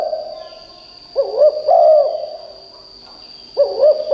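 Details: Loud decoy spotted dove whose calling is said to set wild forest birds calling in reply: two short clusters of arched, throaty coos with quiet between, and a steady thin electronic tone behind.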